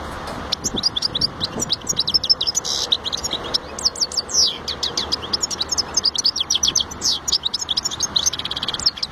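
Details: European goldfinch in full song: rapid, tinkling high-pitched notes and sliding twitters pour out in dense bursts, a brief lull near the middle, and a constant faint hum underneath.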